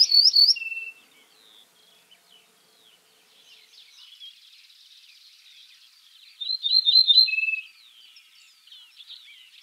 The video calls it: Ortolan Bunting